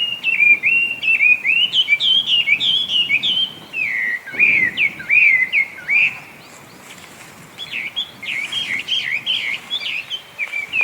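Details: Feral Chinese hwamei, originally brought to Japan as a cage bird, sings a loud, beautiful sequence of looping whistled phrases at a steady pace, with a pause of a couple of seconds before resuming with quicker, varied notes.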